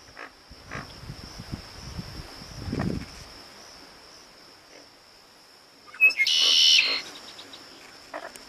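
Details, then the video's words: A male Red-winged Blackbird sings on the La Chua Trail, Paynes Prairie: a quick opening note, then a harsh, buzzy trill lasting about a second, over a steady high insect whine and some low rumbling. "Where the Redwing Blackbird Sings"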